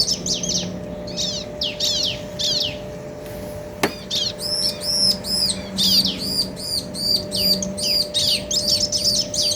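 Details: Male and female bar-winged prinia answering each other in a clear ngobra-style duet: a few downslurred high notes, a sharp click, then fast runs of arched, ringing high chips, about two per second, over a steady low hum.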